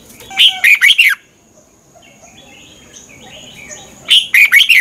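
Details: Red-whiskered bulbul from Thailand singing for other caged birds to copy: a bubbly phrase of quick whistled notes, a few seconds of quiet with faint background chirping, then another similar phrase.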